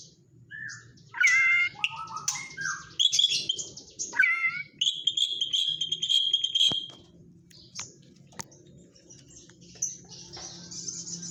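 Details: White-rumped shama with kapas tembak fill: scattered loud whistled phrases and a sustained high whistle mid-song, separated by quieter stretches over a steady low hum.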